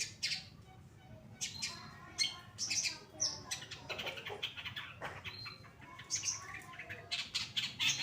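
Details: Active song of a caged Pastol long-tailed shrike used to train other birds: a dense, nonstop medley of scratchy chatter, high squeaks and sharp clicks with hardly any pause.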